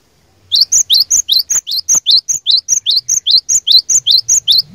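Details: Cinereous tit lure song, energetic and provoking: around twenty crisp high note pairs in an even, fast rhythm, each a rising slurred whistle with a higher chip above, clean background.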